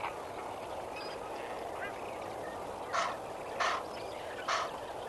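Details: Lesser flamingos at Kamfers Dam at sunrise, 18 May 2024: three loud, abrupt honks about a second apart, each standing out above a soft, continuous murmur from the rest of the flock.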